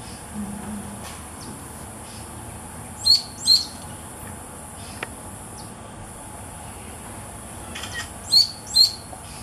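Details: Chiguanco thrush (Turdus chiguanco) call at Villa Los Aromos, Córdoba, in December 2014: sharp, high notes in quick pairs, one pair then another about five seconds later, over a quiet background.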